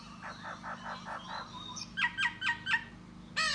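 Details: A male laughingthrush sings and displays to court a female: a run of six soft rolling notes, a rising whistle, then four loud, sharp, falling notes in quick succession, over a low hum.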